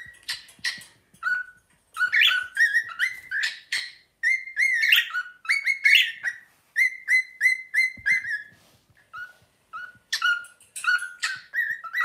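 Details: Pet cockatiel double act whistling Another One Bites the Dust, the bird getting excited and running around. Long run of crisp, punchy whistled notes in a repeated rhythmic pattern, some rising slurs, with short breaks between phrases.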